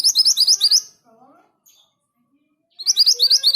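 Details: Orange minivet singing actively: two fast bursts of high, bright chirps at the start and end, each tumbling quickly for about a second, with softer, lower slurred notes in the quiet gap.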